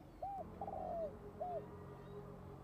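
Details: Decoy spotted dove calling to draw in wild doves to fight; three arched, hollow coos, the middle one longer and wavering, over a steady low hum in the background.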